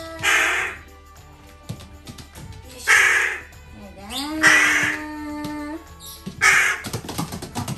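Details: Pet crow calling excitedly as its owner comes home, giving four harsh, hoarse caws spaced a couple of seconds apart, with a rising tonal squeal between them, soft background music and a woman's greetings.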